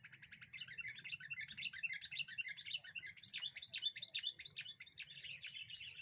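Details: Sooty-headed bulbul singing as a lure that provokes other birds: dense, continuous babble of bright chirps and short twittering notes, fairly faint, with a low hum in the background.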